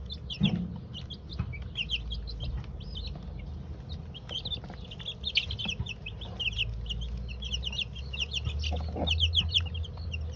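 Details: Two-week-old chicks of mixed breeds, Golden Comet, White Leghorn, Australorp and Rhode Island Red, taking their first dust bath in a coop: many rapid high peeps overlapping, with low rumbling background noise and scattered soft thuds.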